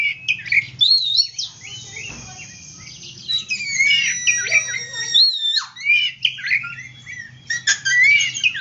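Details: A white-rumped shama sings, used to get silent shamas singing again: a rich mix of fluty whistles, upward and downward slides and rasping chatter, nearly nonstop, over a faint low hum.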